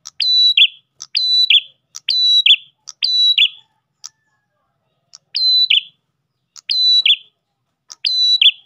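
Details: Ash tailorbird lure song. Bursts of click, piercing steady whistle and downward buzz repeat rapidly, then pause briefly before resuming. No other sounds.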